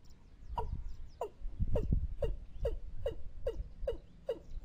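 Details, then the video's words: Watercock call from a trapping lure recording: about nine hollow, descending notes, spacing tightening to roughly half a second, against low murmuring background noise. "ต่อนกอีลุ้มหมานๆ ชุดต่อเสียงหมานขึ้นเร็ว"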